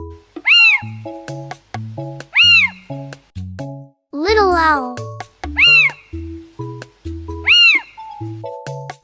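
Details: Little owl calling with clear, mewing, rising-then-falling notes repeated about every two seconds, while a voice speaks partway through and a bouncy music beat plays throughout.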